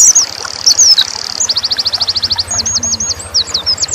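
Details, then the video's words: Oriental white-eye singing: high thin sweeping whistles, then a fast even trill of sharp ticks, then rapid twittering notes, with a low engine hum running throughout. "pleci dakun nembak"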